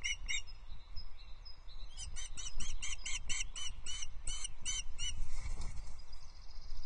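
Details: At the Loch Arkaig nest on 19 May 2023, an osprey calls as the female eats a small breakfast delivered by the male. A brisk series of about twelve high, ringing chirps rises out of steady low wind noise, then fades.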